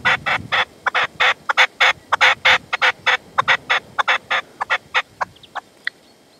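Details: Partridge calling over a decoy at sundown in the sierra, Manzanares, 27 February 2014, the male holding back; a loud, rhythmic volley of rasping chuck notes, about one and a half per second, fading into softer thin notes at the end.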